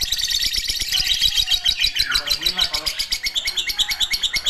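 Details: Lovebird giving a long ngekek chatter: a dense, high, shrill stream of rapid pulsed notes, strongest at first and then settling into steady rhythmic throbbing bursts, with no other clear sounds.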